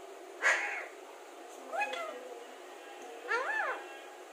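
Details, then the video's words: Alexandrine parakeet known for clear talking utters three speech-like syllables about a second apart, the later ones arching up and down in pitch like spoken words, over a constant faint background hum. "Alexander talking parrot"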